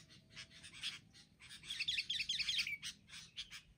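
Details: Wild sooty-headed bulbuls attacking together as a group: dense, harsh chattering notes in quick overlapping bursts, building to a busy cluster of sharp chirps midway, then spaced scratchy notes as the mobbing continues.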